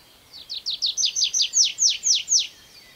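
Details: Tree pipit perched on the ground singing a short verse: about ten high, loud descending slurred notes, speeding slightly, then slowing into drawn-out clear whistles.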